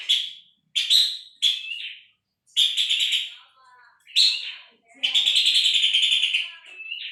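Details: Puff-throated babbler as songbird tutor: a series of short, harsh, buzzy bursts spaced irregularly with brief silences, some ending in slurred whistles, followed by a longer pulsed rattle of nearly two seconds.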